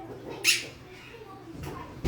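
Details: A pet female macaw that has been "barking" gives one short, harsh, bark-like squawk, then a fainter second one a second later; a woman talks to the bird between them.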